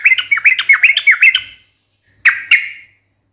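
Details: Yellow-vented bulbul in sharp, fighting-style 'ngalas' song meant to make other birds answer: a rapid run of bubbly, warbled notes for about a second and a half, a pause, then two clear chirps.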